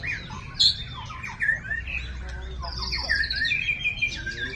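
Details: White-rumped shama, a champion songbird in all classes, giving quick whistled slurs and chirps that rise and fall, with a brief high sharp note early and a low hum beneath.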